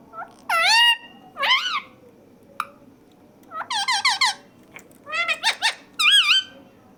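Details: Talking parrot mimicking speech indoors, loud and nonstop: a run of bright, squeaky, wavering syllables that rise and fall, delivered in bursts with short pauses between them.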